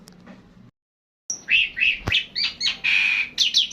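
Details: Javan pied starling in long continuous 'ngeroll' song: after a brief pause and a click, a loud run of rasping chirps, whistled slurs and a drawn-out harsh buzz over faint background hum.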